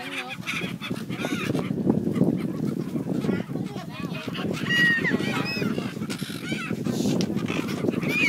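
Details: Brown-headed gulls in breeding plumage at Bang Pu on 12 April 2012, before flying back to pair. Scattered harsh, nasal calls rise and fall over a steady low rumble of background noise.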